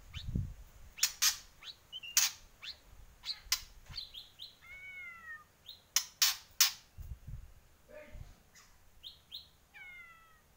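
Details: Borneo white-rumped shama in full song: loud sharp clicks and snaps mixed with short whistled phrases, including downslurred notes stacked in bright harmonics, delivered in irregular bursts.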